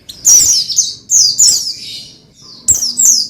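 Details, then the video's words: Oriental white-eye, called pleci, singing to prompt another pleci; loud rich high twittering phrases in two bursts, a pause, then two more bright chirping notes. "Menaikan Emosi Burung Pleci Bahan Agar Pleci Gacor Cepat Bunyi Rajin Gacor"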